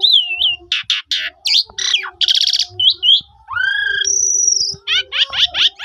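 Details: Phone recording of Asian pied starling song meant to prompt quiet starlings to sing: varied slurred whistles, grating rattles, a rising whistle leading into a long high sustained note, then quick descending chirps.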